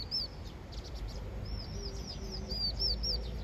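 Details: A young vinous-throated parrotbill, thought to be practising its song, chatters in quick, high, arched chips, about four a second, uneven in pace, over a steady low rumble; Vinous-throated parrotbill.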